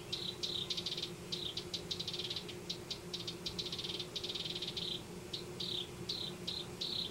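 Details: House wren nesting in a Denver yard, delivering long runs of fast rattling trills mixed with short downslurred notes, continuous and high-pitched.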